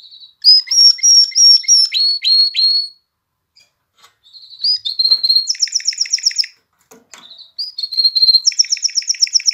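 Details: Canary singing to stir females toward mating and encourage chicks to sing: a series of clear level whistles, a quiet gap, a short note, then a rapid high pulsed trill, repeated after another pause.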